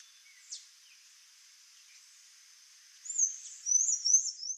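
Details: Sayaca tanager (Thraupis sayaca) song: a faint chip, then a high, squeaky run of thin twittering notes near the end, over a steady high hiss.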